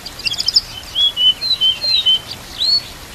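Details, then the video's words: White-rumped shama tutor song with canary-style fills amid nature sounds and trickling water: a few brief high chips, then a series of clear, level whistled notes spaced about a quarter-second apart. "MASTERAN MURAI BATU ISIAN KAPAS TEMBAK KENARI CILILIN"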